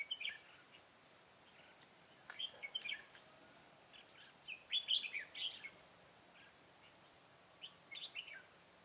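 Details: Red-whiskered bulbul decoy in a trapping session on 25 September 2018, fighting song to draw wild birds; clusters of rapid bright chirps and warbles repeat every couple of seconds over low steady background noise.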